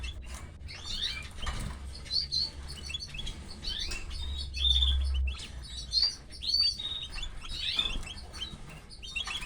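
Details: Canary chicks calling while their mother feeds them; a busy stream of thin, high chirps and squeaky twittering notes rising and falling, with a low steady hum underneath.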